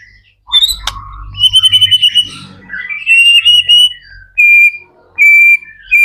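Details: White-rumped shama song used to prompt other shamas to sing: sharp clicks and steady pure whistles, some drawn out, over a faint low hum.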